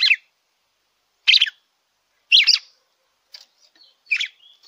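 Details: Captive-stimulation song of a red-cowled cardinal: four crisp chirped bursts about a second apart, the last trailing off with faint buzzy notes, nothing else audible.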